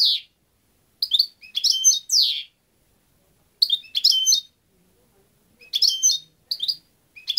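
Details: European goldfinch singing: bright, tinkling twittered phrases of quick chirps and buzzy notes, high-pitched, delivered in short bursts separated by brief pauses, with no other sounds in the background.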